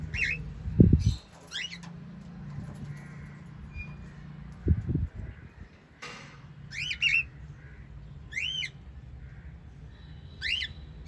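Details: Pet white lovebirds; several sharp rising chirps in the second half, earlier broken by low thumping knocks and a constant background hum.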